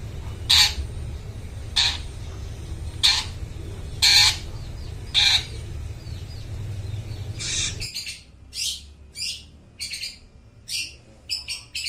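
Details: Long-tailed shrike recorded as a lure for mute shrikes: harsh, scratchy single squawks repeated about once a second, then after an abrupt cut a run of quicker, clipped rasping notes.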